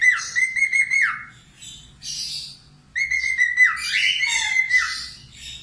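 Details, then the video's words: Lively budgerigar, used as a cockatiel tutor, gives two bouts of level whistles that fall away at the end, with raspy chattering between and after the phrases. "SUPER GACOR COCOK UNTUK MASTERAN COCKATIEL LATIH SUARA PARKIT AUSTRALIA"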